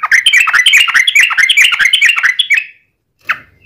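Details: Sooty-headed bulbul song used to lure other bulbuls into singing: a fast, warbling chatter of bubbly notes lasting over two seconds, followed by silence and one short note.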